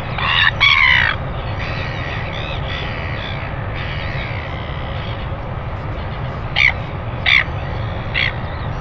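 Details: Northern royal albatross at a nest camera, recorded 25 December 2019 at 5:57 a.m. during a greeting; harsh, harmonic calls in the first second, then three short sharp calls near the end, over a steady low rumble of wind.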